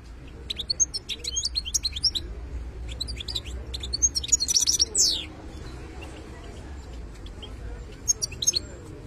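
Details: Wild-caught European goldfinch, locally called khlawi, singing bursts of high, quick twittering and tinkling notes with short pauses between phrases, one sharp rising buzzy note near the middle, over a low steady hum.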